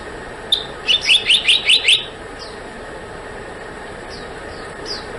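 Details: One quick burst of about six piercing, rising notes from a black-naped monarch, followed by quiet with a few soft, falling chirps in the background.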